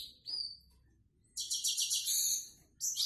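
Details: A high, thin whistled note from a Grey-headed goldfinch, a pause, then a quick run of bright, tinkling twitters, then the start of another phrase; song in the simple style called 'prostyak'.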